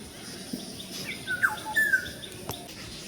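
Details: Morning, a Black-hooded Oriole gives two or three liquid, mellow whistles, one sliding up and one held briefly, over steady outdoor hiss and a single sharp click, near feeding koels and a bulbul.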